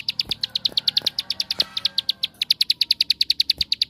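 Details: Bar-winged prinia, ngebren song used as a lure for other prinias: a steady, unbroken stream of high, sharp chips about nine per second for the whole stretch, with a few dull thumps in the background.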